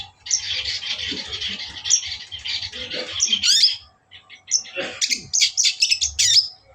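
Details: Provocation song of a long-tailed shrike meant to excite a rival: a long buzzy, rasping stream for about three seconds, a brief gap, then scratchy chattering notes with faint low rustling underneath.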